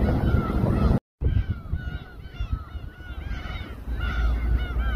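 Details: Gulls calling in chorus over a boat where raw fish is sliced at Samgilpo Port, Seosan, South Chungcheong, Korea; many overlapping harmonic, arched mewing calls over a steady low engine and wind rumble, with a brief dropout near the first second.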